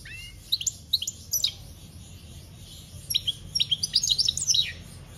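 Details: European goldfinch singing in 2021: two bursts of high, rapid twittering and tinkling notes with quick buzzy slurs, the first brief, the second longer and denser, over a faint low hum.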